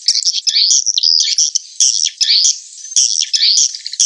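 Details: Edible-nest swiftlet call used as a roosting lure: high, shrill, twittering chirps with slurred and buzzy notes, coming in clustered phrases roughly every second.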